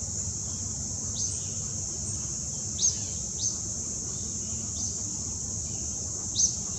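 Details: Juvenile Acadian flycatcher, Wetmore Valley trail, CVNP, Summit County, Ohio, on August 26, 2017, gives about six quick rising chip notes at irregular intervals over a constant shrill insect hum.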